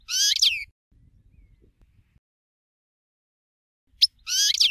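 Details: Caged European goldfinch singing a song style called shakario or tshakario: two short bursts of fast, buzzy, tinkling twitters, each well under a second, separated by nearly four seconds of quiet.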